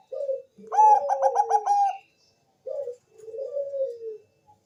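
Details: Bangkok-type zebra dove song used as a lure to make other doves answer: a short low coo, then a rapid, rolling, stuttered trill of cooing notes, followed after a pause by two softer, drawn-out falling coos; quiet surroundings.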